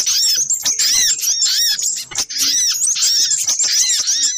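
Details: Little spiderhunter lure sound, dense, excited, very high squeaky chattering almost without pause, dipping briefly just after two seconds.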